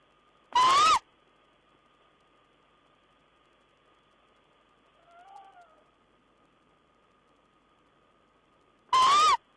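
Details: Owl at its nest on 14 April 2010, bringing a mouse: two loud, harsh, clipped calls about eight seconds apart, each a short rising-then-falling cry rich in overtones, with a faint softer sound between them and a steady low hum.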